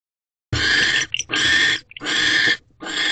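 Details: Owl pair mating at a nest box on 20 December 2023, 6:18 pm: harsh, hissing screeches in bursts under a second long, repeated with brief gaps between them.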